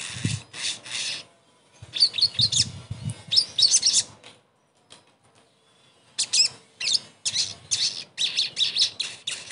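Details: Sogon song used to coax a silent bird back into singing: bursts of high, harsh chattering with sharp whistled accents, a long quiet gap in the middle, and faint low thumps early on.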